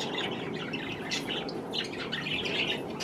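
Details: Pet budgerigars (parakeets) eating cherry tomatoes, giving a busy stream of soft, scratchy chirps and short warbles that overlap continuously over a steady background hiss.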